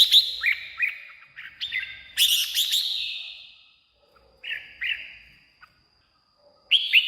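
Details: Red-whiskered bulbul song, used to excite caged birds or lure wild birds: crisp whistled notes, a loud buzzy flourish, then two short descending whistles and a fresh phrase starting at the end.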